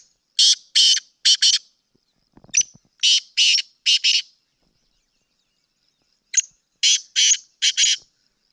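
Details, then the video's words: Sindhi black francolin calling in three separate phrases of loud, harsh, grating notes, each phrase a quick run of four or five rasping bursts, with silent gaps between phrases and a brief soft thump in the first gap. "Kala teetar Ki awaaz video سندھی کالے تیتر کی مکس اوازیں"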